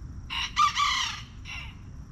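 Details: Backyard rooster crowing near the coop: a loud, harsh, strongly harmonic cock-a-doodle-doo lasting about one second, broken into short bursts, followed by a weaker trailing note against a quiet background.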